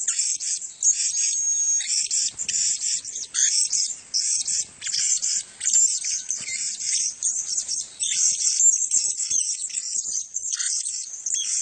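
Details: A group of male blue-crowned hanging parrots; continuous high, scratchy squeaks and twitters in fast overlapping bursts, pausing briefly every second or two.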